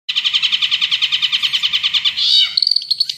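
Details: Long-tailed shrike singing actively: a fast run of sharp repeated chirps, about eight per second for two seconds, then a brief buzzy burst and a few thin high whistles.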